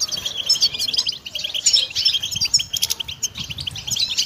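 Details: Goldfinch song for training songbirds, a jingling rush of high, clipped chirps and liquid twitters interspersed with short buzzy phrases, running without pause.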